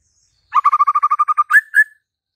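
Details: White-rumped shama giving a fast string of about ten even, rattling notes, then two clear up-slurred whistles.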